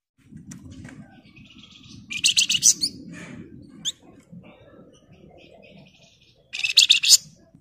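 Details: Dense, chatty flamboyan song in the ngebren style: bursts of high, rapid, buzzy rattles and sharp chips over a steady low background rumble, with a final loud trilled burst.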